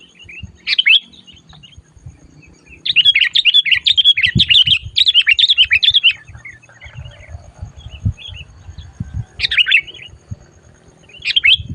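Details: Sooty-headed bulbul, vocal and aggressive while carried for trapping, gives a sustained three-second stream of rapid bubbly chatter between single sharp downslurred phrases, over soft low bumping and rustling.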